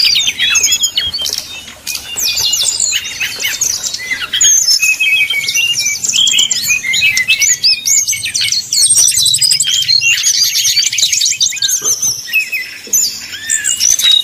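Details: Brown-chested jungle flycatcher singing in the fluting 'nyuling' manner, meant to make rival birds agitated and quick to sing. A long, busy stream of high sweeping whistles and chattering notes runs almost without a break.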